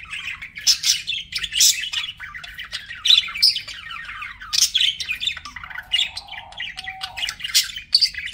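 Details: Budgerigar chatter from pet birds: fast rasping warbles and squeaky chirps, with a short lower whistled tone near the end, steady hum underneath.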